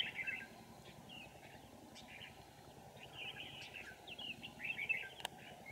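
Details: Red-whiskered bulbul singing during trapping in An Phu, with rapid, busy chattering whistled phrases running almost continuously, one sharp click near the end, and a constant low-pitched background drone.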